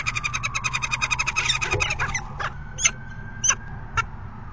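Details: Falcon calling during mating on March 17, 2021, at 4:50 PM: a fast series of about fifteen harsh, evenly spaced ringing notes over two seconds, then a few isolated sharp clicks, with a steady tone and low rumble behind.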